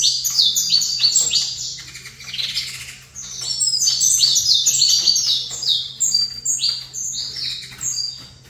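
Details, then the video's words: Captive saffron finch, placed facing a competitor, pours out rapid high chirps and short downslurred whistles in strong phrases, loud throughout with short dips, above a faint steady low hum. "Canto Canário da Terra"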